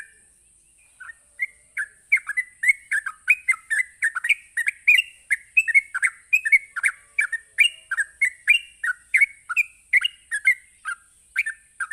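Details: Sooty-headed bulbul giving a rapid ropelan song used to provoke other bulbuls into answering. After a second of quiet, quick bubbly whistled notes dip and rise and run on steadily. A thin steady high hiss sounds throughout.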